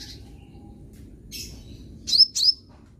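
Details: Untrained young sunbird in training audio for singing: a faint opening buzz, then two sharp, piercing high upslurred chirps in quick succession near the end, little else heard.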